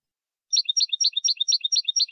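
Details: European goldfinch, copia malaga style, recorded for training fledglings to learn song. A quick, even series of bright chirping notes repeats roughly every fifth of a second, each a cluster of high and mid tones, in an otherwise silent recording.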